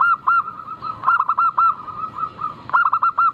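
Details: Lure song of a local zebra dove, clear and sweet. Rapid bouncing cooing notes repeat in three or four bursts, each note short and bright, with a faint continuous hum underneath.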